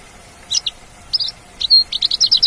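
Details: Wild Javan bush lark giving short bursts of high chirpy notes, a brief clear whistle near the middle, then a quick run of crisp repeated chips to the end.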